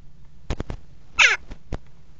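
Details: Common kestrel pair at a nest box on a water tower in Axel, 5 February 2018, mating on the box rim: one harsh, descending, strained call amid sharp knocking clicks and low hum.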